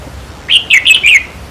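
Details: One brisk phrase of four quick, liquid, up-and-down notes from a red-whiskered bulbul, sung as a decoy to excite caged birds during trapping.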